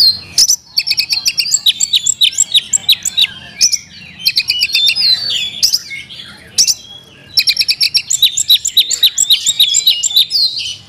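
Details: Caged kacer, an Oriental magpie-robin, delivering a 'isian mewah' filled song: bursts of fast, evenly repeated sharp notes broken by short gaps, mixed with twisting whistles and chattering phrases.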